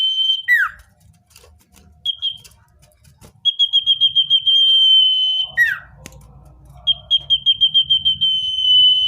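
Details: Natural common iora song for attracting wild birds: a steeply falling slurred note, then bursts of rapid pulsed notes that each stretch into a long, flat, piercing whistle. The phrase repeats twice.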